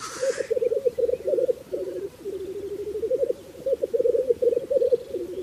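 Black grouse giving a low, dove-like bubbling coo that rolls on almost without pause, dipping briefly midway; a short hissing burst opens the recording.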